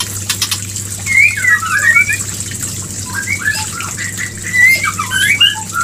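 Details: Mating call of a white-rumped shama, used to bring a female into breeding condition: two bursts of tumbling, warbled whistles and squeaky notes with a short pause between, over a steady low hum.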